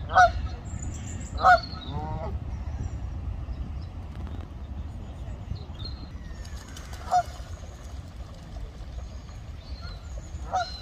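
Four loud, nasal Canada goose honks at uneven intervals, two close together early and two spaced later, over a steady low rumble of wind or distant traffic.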